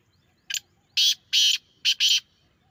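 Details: Grey francolin giving its strident call: a short introductory rasp followed by two long grating notes and then two quicker ones in close succession, harsh, high and loud against near silence.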